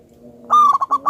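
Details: Local wild-type zebra dove, very vocal and big-voiced, lure recording. One brief loud phrase: a sustained ringing note dropping into short rapid pulses, preceded by a faint low hum.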